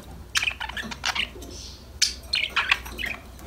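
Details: Happy budgerigars singing and chattering to each other: quick clusters of sharp chirps and buzzy warble notes, with one soft hiss in the middle and a brief pause before the chatter resumes.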